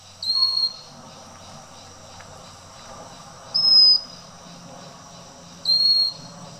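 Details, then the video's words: A pygmy cupwing (Pygmy Wren-babbler, Pnoepyga pusilla) calls on Fraser's Hill, Malaysia, giving three thin, high, drawn-out whistles, each under half a second and spaced a few seconds apart, over a soft hiss of insects. "Pygmy Cupwing Calling"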